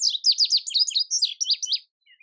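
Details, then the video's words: Indigo bunting song: a lively string of sharp, high, downslurred chirps in quick succession, several notes in close pairs, ending after nearly two seconds with two soft fading notes. "Indigo Bunting Song"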